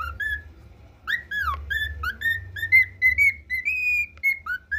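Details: A cockatiel learning to sing the Brazilian national anthem whistles it in clear, bright notes, some sliding up and some down, strung into a halting phrase. A low hum runs underneath.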